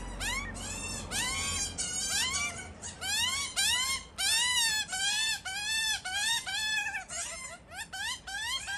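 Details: Australian magpie family tending chicks: a dense run of overlapping, sharply rising and falling harmonic squawks, nearly continuous, with several calls crowding together.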